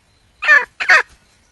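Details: Wild junglefowl hen calling for a male mate: two short, harsh, raspy notes about a third of a second apart, then silence.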